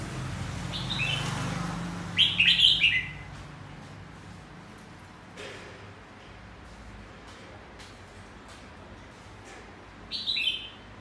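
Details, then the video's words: Red-whiskered bulbul in a cage, uncovered and said to sing nonstop from morning to afternoon in two voices; one short, rich warbled phrase comes early, then a long quiet gap before a brief final phrase. "Chào mào siêu mỏ- bao hót liên tục từ sáng đến chiều khi mở áo lồng"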